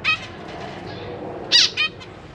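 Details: Caged zebra finches in May 2023, a pair with three juveniles and three newly fledged young while the parents feed the chicks: sparse nasal, harmonic call notes, one loud sharp note near the middle followed by a softer one.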